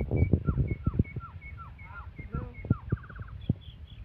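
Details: White-rumped shama in an aggressive mood repeating a clear falling whistled note about four times a second, then a quick rattled trill, over steady low knocking and thumping noises.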